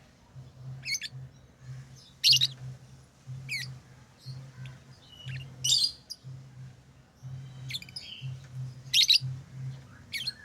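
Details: Lovebird chirps and squawks: short harsh high bursts arriving irregularly every second or two, some louder and raspy, others thin and squeaky, against a faint pulsing low hum.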